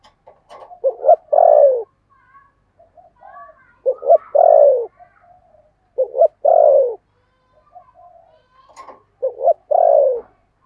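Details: Spotted dove kept as a decoy, 'thổ' voice: four cooing phrases about every two and a half seconds, each a quick double note and then a drawn-out, descending coo, with quiet murmurs in the gaps.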